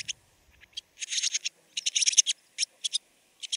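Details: Barn swallow in Siberia giving quick clusters of high, scratchy twittering notes separated by short silences, in a clean recording with no other sounds.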